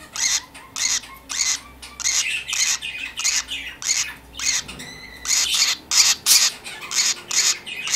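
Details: Young pet lovebird indoors, newly joining parakeets, giving a steady run of raspy, noisy squawks roughly twice a second, a few louder and shriller near the end, in a small room.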